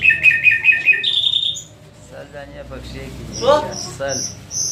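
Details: Nightingale giving a rapid run of repeated pulsed notes ending in a rising slur, then a pause and a scatter of short harsh notes and high thin whistles.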